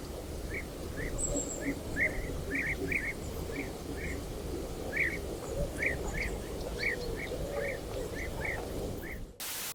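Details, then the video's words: European bee-eaters in Ukraine circle over their colony giving short, rolling, liquid 'prruip' calls, several birds overlapping in quick succession, over a low rumble of background noise. "Their voice sounds like quick calls that constantly echo in the air when the birds circle over the colony."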